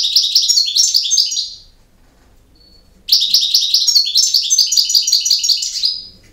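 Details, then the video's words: Short twittering campero phrase from a European goldfinch, a brief pause, then a longer sustained run of repeated tinkling notes and trills ending in a thin drawn-out tone. "El Jilguero BiH 18"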